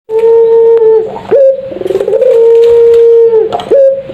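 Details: Puter pelung dove giving a lure call meant to draw a quick reply: a long, steady, hollow coo held for about a second, a sharp upward step, then a second drawn-out level coo, in a small indoor space.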